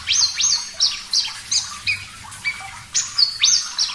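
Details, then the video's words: Javan bush lark song for training: clear, high whistles, several starting with a sharp rising sweep then held flat, repeated about three times a second with a few lower drawn-out tones. "Masteran Branjangan Parva Gacor Suara Jernih"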